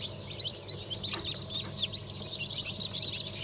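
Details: Many fresh hatchlings from a mixed batch of turkey, bantam, Sussex and Australorp chicks hatched 31 May 2023, peeping in a continuous shrill crowd of short, high chirps with a faint low hum beneath.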